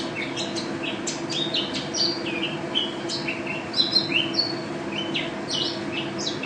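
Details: Gacor-style song from a first-place national champion mountain white-eye: a rapid, high string of thin chips and downslurred whistles tumbling over one another, with louder bursts near the middle. A low hum runs throughout.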